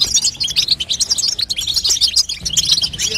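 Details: Female European goldfinch call used to prompt a young goldfinch into song: busy, sparkling twitter of short high notes and tiny trills, continuous and evenly loud, with a soft low hum underneath.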